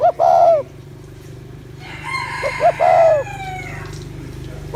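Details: Spotted dove coos to rouse males, two phrases of short lead-in notes and a sustained falling coo, with a rooster crowing between them and a steady low mechanical hum underneath.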